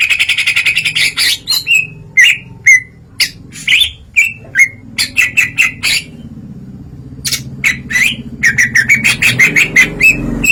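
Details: Greater green leafbird ngeplong song with mimicry: a long irregular medley of short loud whistles, chips and harsh notes with brief gaps, over a low background hum.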